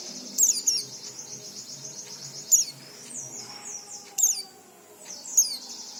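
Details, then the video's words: Oriental white-eye singing, a recording meant to provoke untrained white-eyes to sing: bright, very high warbling with quick falling slurs and four loud accented chip clusters spaced about two seconds apart. "Suara pleci ini cocok untuk memancing pleci bahan agar cepat bunyi"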